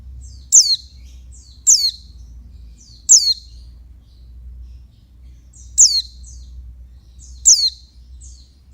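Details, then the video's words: A female oriental white-eye calls to excite males, sending out high, sharp falling chirps with little trailing notes in irregular bursts, a gap of silence midway, over a constant low droning hum. "Suara burung pleci betina untuk ngecas jantan"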